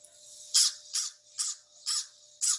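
A crow gives five harsh, raspy caws in quick succession, roughly two per second, over a faint steady hum.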